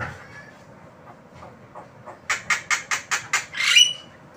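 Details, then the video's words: Javan myna (jalak kebo) gives a rapid run of six harsh, raspy notes, about five per second, ending in a longer grating squawk with a brief whistle. "Jalak kebo Manggut Manggut"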